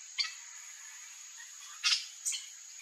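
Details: Three short, shrill, high screeches from a yellow-chevroned parakeet (Brotogeris chiriri) among backyard fruit trees in Brazil, spaced irregularly over about three seconds, over a steady high-pitched hiss of insects.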